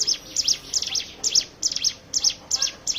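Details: Hill prinia used as a singing lure for other birds: high chips grouped in twos and threes, each group about half a second apart, bright and slightly falling.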